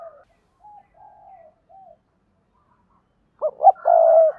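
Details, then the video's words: Spotted dove decoy from Đồng Nai, Vietnam, giving its 'double voice' call to attract wild doves: a few faint low notes, a pause, then two clipped hoots and a sustained hollow coo. "Tiếng chim cu gáy mồi kích bổi gáy gọi giọng đôi"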